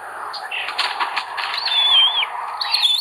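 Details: Common buzzard nestlings, 25 May 2022, with an aggressive eldest chick. Rustling and flapping noises lead into a long, clear, wavering whistle and then a shorter squeal, with a steady hum underneath.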